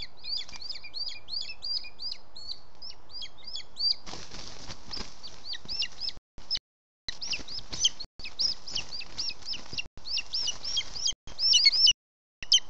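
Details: Older booted eagle chick, not yet able to fly well, which fell from its nest in Parc Natural dels Ports and climbed back up through the branches over 45 minutes. Rapid series of high, squeaky repeated chirps, broken by abrupt gaps and low rumbling noise.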